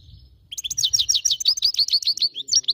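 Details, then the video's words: Goldfinch singing a fast, steady run of bright, high twittering notes, about eight per second, forming a continuous liquid trill with a faint low background rumble. "Best song goldfinch"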